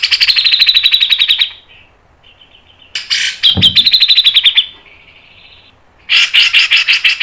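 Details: Grey-cheeked bulbul in a training recording of fast, dense mbeset and ngepik song: rapid buzzy trills around a high pitch in bursts of about one and a half seconds, separated by short pauses and softer notes.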